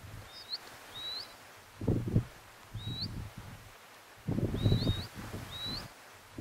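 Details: Scribble-tailed canastero calling with high, thin, rising whistles, some paired and close together, spaced irregularly over six seconds, against bursts of low rustling and wind noise.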